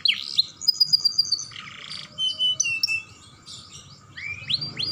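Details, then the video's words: Young canary sings to stimulate other canaries, with scattered high chirps, a short buzzy burst, brief steady tones and a few rising whistles, separated by quieter gaps. "Pancingan Kenari Muda Gacor Dor || Pancingan Kenari Paud"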